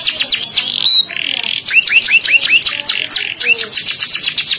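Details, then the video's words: Canary with loud, sharp voice and luxurious cengkok: rapid high downswept notes, a buzzy passage, then a quick string of rising whistled upslurs amid continuous twittering. "durasi kenari volume keras tajam cengkok mewah"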